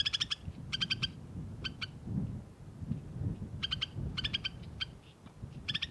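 White-winged snowfinch giving short bursts of sharp, nasal chattering notes in quick clusters, with pauses between, over a steady low wind-like rumble.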